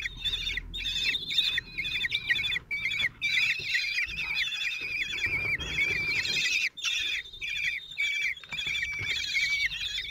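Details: During a feeding of four 16-day-old common kestrel chicks by their lone father, nest in Théding, France, 26 June 2023, insistent high chittering squeals pour out in overlapping bursts, with occasional sharp gaps and soft low thuds.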